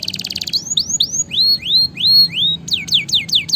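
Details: Vigorously singing canary, used as song training for lazy birds: a quick trill gives way to a series of clear rising whistled slurs, then rapid falling notes repeated several times.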